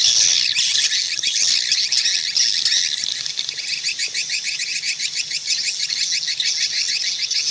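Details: Swiftlet calls forming a dense, continuous chorus of rapid high chirps and twitters, pulsing several times a second with a steady shimmering quality, no other sounds present.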